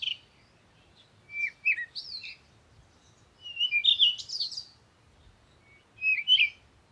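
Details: Bird song of scratchy twitters and warbles in three clusters, the middle one longest and loudest, with quiet gaps between.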